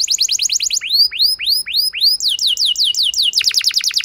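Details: Canary singing as a lure to get a reluctant canary to respond and sing long: rapid tours of repeated notes, first quick high chips, then slower upslurred whistles, then fast downward-sweeping syllables.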